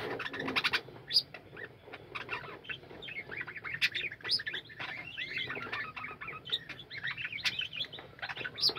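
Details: Captive budgerigars calling together in a flying colony: a dense, continuous mix of overlapping chirps, warbles and short squeaky notes from many birds, with a few brief louder sharp chips rising above the chatter and soft low rustling near the start.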